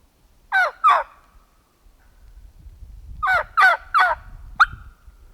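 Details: Wild fall turkeys near a roosting site with several flocks about. Two sharp raspy calls, a pause, then a quick run of four harsh notes ending in a short clipped one, over low background rumble.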